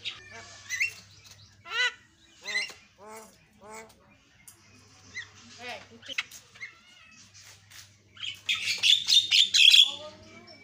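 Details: Asian pied starling song with varied content: a series of rising, slurred whistled notes spaced about every half second, then near the end a loud burst of harsh, scratchy chatter, over a faint low hum.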